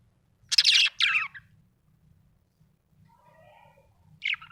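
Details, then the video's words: Budgerigar, described as happy, gives two harsh chirps close together, then a quiet stretch with faint murmuring, and one more short chirp at the end. "Happy budgie chirping sound"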